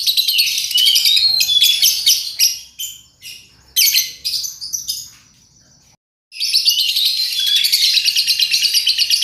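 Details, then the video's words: Lovebird 'paud' singing, used as a lure recording to prompt other birds to sing: dense, rapid high chattering and squeaky twitters, broken into short bursts midway, then a near-silent gap before continuous chatter resumes. "Pancingan love bird paud"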